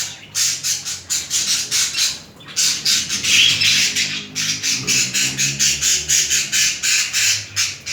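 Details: Mating budgerigar pair courting: loud, buzzy pulses repeated about four times a second in long runs, broken by one short pause.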